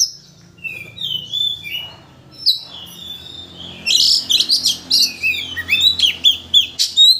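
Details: Provoking song of an Oriental magpie-robin aimed at drawing out a full repertoire; clear whistled slurs at first, then a dense, loud run of rapid chattering and chirping notes.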